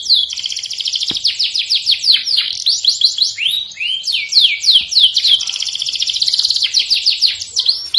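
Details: Canary song meant to encourage other birds to sing: fast continuous high trills of repeated downslurred notes, several birds overlapping in rapid rolling phrases with brief rising whistles, dense and unbroken throughout.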